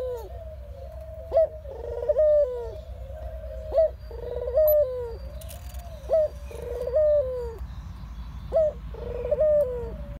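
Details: General cooing of a ringneck dove, with soft rolling coos each introduced by a brief accented note, repeating at a regular pace of roughly every two and a half seconds against a constant low background hum.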